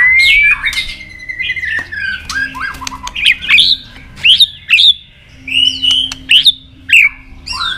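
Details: Competition singing from a caged White-rumped shama: a long rising whistle, then loud looping phrases with sharp downward-hooked notes delivered in spaced bursts, quiet gaps between them.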